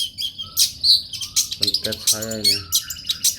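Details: Long-tailed shrike singing gacor for masteran training: choppy high chirps and squeaky whistles in quick bursts, mixed with a lower buzzy, harmonic note near the middle.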